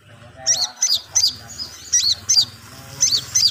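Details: Long-tailed shrike practising its song with repeated sharp high chirps, mostly in pairs or triplets, roughly one group per second, against a steady low background hum.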